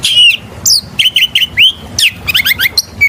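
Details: Oriental magpie-robin singing loudly as a lure for other birds, with rich downslurred whistles, upswept notes and short trilled chips packed into fast, varied phrases.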